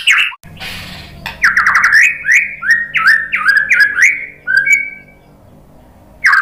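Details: White-rumped shama (murai batu) song for baiting birds to reply. A brief harsh noisy burst, then a stepped run of loud slurred whistles, each dipping and rising, before a pause and a fresh phrase.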